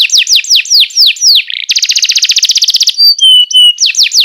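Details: A canary sings for young birds in training: evenly repeated descending sweeps, a short buzz, a dense rattling trill lasting over a second, then steady whistles and renewed sweeps.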